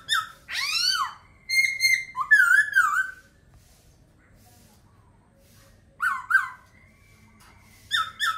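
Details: Laughingthrush singing a loud swooping descending phrase, a level whistle and a wavering warble, then a long silence before further short slurred notes and a sustained thin whistle.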